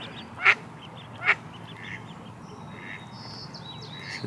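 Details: At Lake Padden, a duck the speaker thinks is the ducklings' mother gives two loud, harsh quacks less than a second apart, perhaps calling them, as ducklings gather back to her; faint thin chirps sound in the background.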